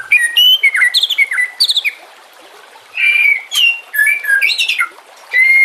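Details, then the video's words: White-rumped shama singing for use in training captive shamas, set against nature sounds and flowing water; fast, varied phrases of clear whistles, buzzy notes and high chirps, separated by short gaps. "Masteran murai TERAMPUH yang di pakai semua burung juara"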